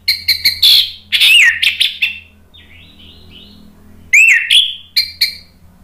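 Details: Lure song of an Orange-headed thrush, meant to stir a bird that has stopped singing into answering. Rapid, loud chips lead into rich slurred whistles, a thin quiet trill, then a rising whistle and more sharp notes.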